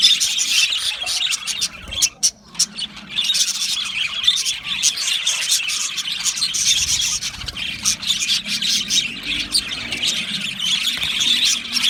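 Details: Colony of Australian budgies singing happily in an aviary, a steady wall of high, overlapping chirps and warbled twitters from many birds, briefly dipping quieter around two seconds before the chatter resumes.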